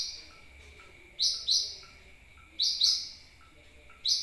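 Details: Lure call of a sunbird used for attracting birds: piercing high chips given in pairs, three groups with short pauses between, over a quiet, steady faint hum.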